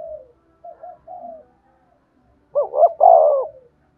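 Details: Spotted dove cooing to rouse decoy birds: a few soft short coos, then a loud quavering double note and a long full coo fading near the end.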